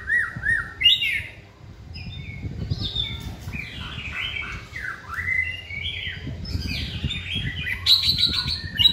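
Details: White-rumped shama singing during a training session on a pole, Dak Lak, Vietnam; a varied run of whistled phrases sweeping up and down, some rich and fluty, others sharp, with low background rumble.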